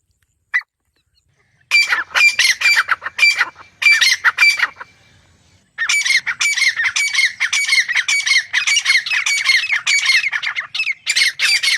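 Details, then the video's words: Grey francolin giving loud, harsh, squawking notes in rapid bursts, a short pause, then a longer run of repeated shrill calls. "Grey francolin sound"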